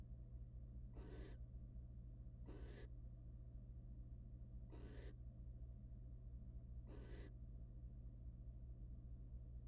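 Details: Wild barn owl pair in a monitored nest box, the male mating with the female and then preening her feathers; four harsh, breathy hissing bursts spaced a second or two apart over a steady low hum.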